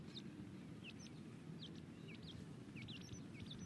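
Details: Young grey francolins kept while being tamed utter rapid high-pitched cheeps, paired down-slurred and up-slurred notes in quick bursts, over a constant low hum.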